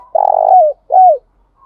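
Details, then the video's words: Spotted dove lure call used to provoke singing and bring wild doves back to the perch. A long rolling, vibrating coo falling at its tail, followed by one shorter arched coo. "Tiếng chim cu gáy mồi thúc đấu giọng hay, tiếng chim cu gáy thúc bổi nhanh về cội, chim cu gáy đất"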